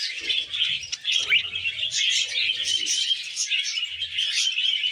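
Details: Several tame budgerigars eating wheat germ, with a continuous stream of high, squeaky chirps and warbling chatter and light low rustles.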